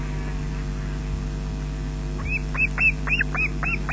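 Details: Adult osprey delivering fish to chicks at a Loch Garten nest, Scotland, recorded on webcam 20 June 2012 at 13:24; after quiet, seven loud whistled chirps repeated rapidly and evenly, constant low hum throughout.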